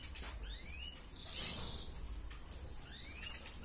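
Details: Red canary singing in a breeding-drive tutor recording, a 'gacor ngerek' style of song meant to stir female canaries to breed: two rising whistled sweeps framing a brief buzzy trill, over steady low hum.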